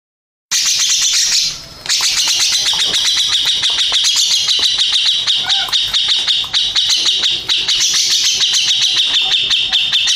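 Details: Grey-cheeked bulbul, a first-place contest champion, singing a long unbroken stream of rapid harsh chattering notes, densely packed and high-pitched, with a brief pause near the start.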